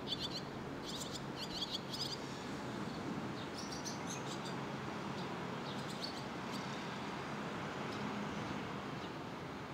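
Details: Young barn swallows waiting together for food, filmed in Sendai in June 2021: bursts of high, thin chirps in quick clusters early on, then scattered sharp chips over a steady low background rumble.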